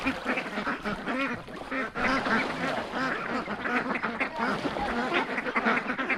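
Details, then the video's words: A flock of domestic ducks on a homestead, driven down to a neighbor's pond, quacking constantly in overlapping harsh nasal calls that run together with hardly a pause, several birds at once. "So, the ducks have quieted down. That means they're happy."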